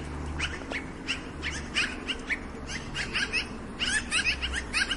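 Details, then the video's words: Black-billed magpie giving harsh, rasping chatters in quick clusters of notes, repeated through the clip over a faint low rumble. "Black Billed Magpie Sounds"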